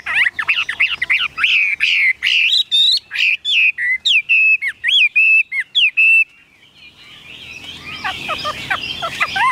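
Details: A caged, tame Chinese hwamei pours out a long, varied song of loud whistled notes, rapid at first and then spaced roughly twice a second, each bending upward. Scratchy chatter follows the song.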